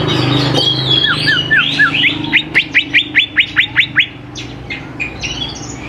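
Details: Greater green leafbird singing strongly, a lure for young birds; varied slurred whistles give way to a regular run of about ten loud rising notes over a low background hum.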